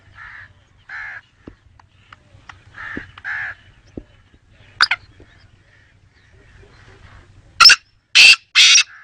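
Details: Black francolin calling: a few soft buzzy mid-pitched notes, then a loud series of three harsh, grating bursts near the end in quick rhythm, with a faint low hum in the background.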